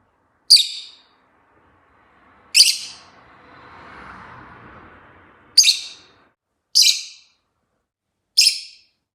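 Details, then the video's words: Chatty rosy-faced lovebird calling with five sharp, high, rasping chirps at irregular intervals of one to three seconds, with a soft rushing background sound midway. "Lovebird singing and chirping sounds|very chatty bird"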